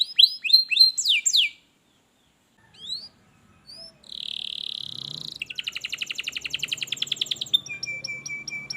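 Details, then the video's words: Canary song meant to encourage a silent canary to start singing: brief high whistled notes, a pause, then a long buzzy rattling trill running steadily to the end, with faint low background noise. "kenarimu pasti ikut gacor || masteran kenari malas bunyi"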